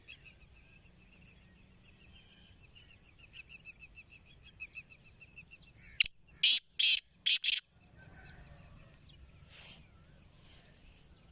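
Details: Home-bred black francolin, kept free-roaming: a sharp click, then three harsh, rasping notes in quick succession. A steady high insect drone with faint repeated chirps runs underneath.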